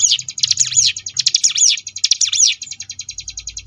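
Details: Sunda bush warbler (ciblek gunung) singing a varied 'ngebrem' song, used as a tutor recording for contest birds: fast, steady string of high buzzy notes interrupted by loud sweeping rising-and-falling trilled phrases, ending in an even rattling series.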